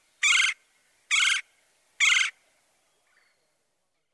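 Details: Nasal, low-pitched churring trill of a Red-bellied Woodpecker, three short burry rolled notes spaced nearly a second apart, each about a quarter second long, then a pause and a faint extra sound.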